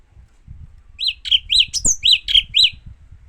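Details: Japanese white-eye singing: a quick run of about eight bright, arched whistled notes repeated several times a second, with a sharp higher squeak in the middle, over faint low rumbling.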